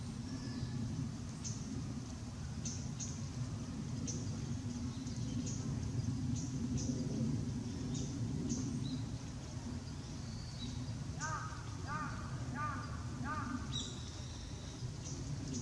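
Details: Japanese tit calling on 20 November 2016, after bathing and while shaking off water and stretching, filmed with a Nikon COOLPIX P900. Brief high thin notes scattered throughout, then a quick series of harsher arched notes near the end, over steady low rumble.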